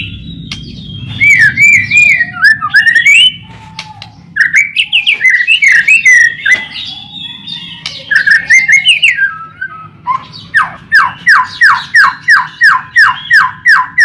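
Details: White-rumped shama song used as a lure to get shamas singing: varied whistled phrases with rising and falling notes, then a fast series of repeated down-slurred whistles, about three per second.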